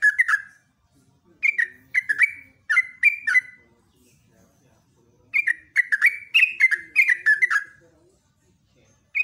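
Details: Prolific yellow-vented bulbul song in the morning, ropelan style: spaced bubbly double notes at first, then a fast run of tumbling whistled notes, ending with a single short note after silence.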